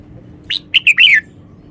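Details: Red-whiskered bulbul singing a crisp phrase of four quick whistled notes, the final one drawn out and dropping in pitch, each note sharply delivered against a near-silent backdrop.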